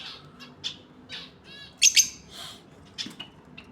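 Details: Pair of lovebirds giving soft scratchy chatter, a brief buzzy rattle, then two loud shrill shrieks and quieter chirps.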